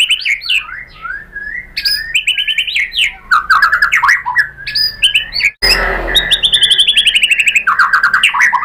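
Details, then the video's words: White-rumped shama singing to provoke other shamas: varied whistled phrases and slurs, a brief noisy burst midway, then a fast, even series of repeated high chips and trilled notes. "MURAI BATU APAPUN SPONTAN NYAUT ¦ PANCINGAN MURAI ¦ SHAMA BIRD"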